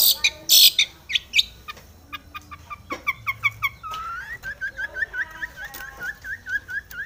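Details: Long-tailed shrike in full song, seeking a rival and used to provoke other shrikes: harsh loud bursts and chatter give way to a run of short upslurred whistles repeated about twice a second.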